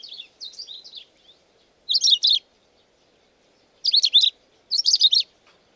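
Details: Long-tailed rosefinch (Carpodacus sibiricus) song: softer opening notes followed by three loud, quick bursts of twittering, slurred syllables, each phrase about half a second long, with silent gaps between them.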